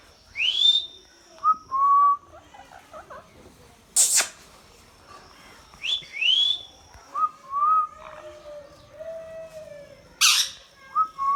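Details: Talking Indian ringneck parakeet repeating rising squawks and short whistled phrases, broken by two loud broadband screeches, with a lower drawn-out tone near the end.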